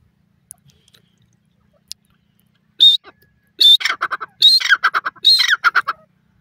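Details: Female grey francolin calling: loud, harsh rasping squawks in about four bursts, each a sharp high note followed by rapid stuttering pulses, over near silence.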